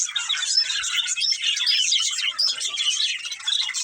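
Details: A breeding pair of budgerigars chirping in a dense, unbroken high warble of squeaky, scratchy notes, with no other clear sounds.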